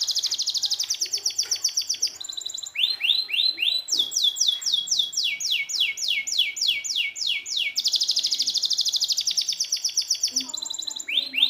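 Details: Tutor song for canaries that won't sing: a rapid high trill gives way to repeated upward-sweeping notes, then a long series of descending whistled slurs, and a return to dense fast trilling.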